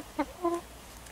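Chickens give two brief, soft, tonal notes, a short clipped one then a slightly longer steady one, low and even against a quiet background.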